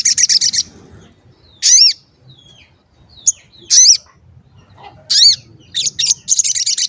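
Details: Calling sogon used as a lure to provoke other sogon. Rapid chattering opens and closes the passage. Between them come arched high chirps and thin sliding whistles, spaced irregularly.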